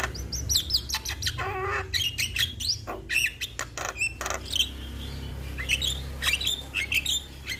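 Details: Asian pied starling, a young bird in full song: dense scratchy chatter with clicks, short whistles and a nasal buzzy phrase, delivered continuously with hardly a break.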